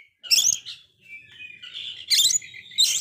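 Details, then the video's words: Oriental magpie-robin stuck in a failed moult, in full song and used to lift other magpie-robins' spirits; three loud scratchy chattering bursts separated by softer warbled and whistled phrases. "Kacer gagal mabung ini sangat gacor sekali Cocok Untuk mancing Mental kacer drop"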